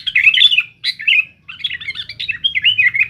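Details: Sooty-headed bulbul, noisy and challenging rivals, delivering a fast run of bright, chattering whistled phrases with rising and falling notes, broken by a short pause near the middle, with no other clear sounds.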